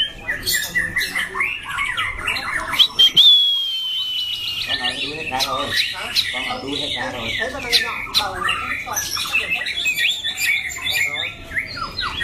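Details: Loud-voiced competition White-rumped shama in a cage, known for switching phrases and singing for a long time. Bright whistles and rapid chips fill the recording. A brief quieter gap holds a clear high whistle, then dense trilling resumes.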